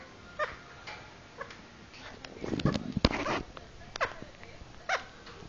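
A lovebird gives five or six short, squeaky, nasal notes spaced unevenly over a few seconds, with a brief burst of rustling and scraping in the middle.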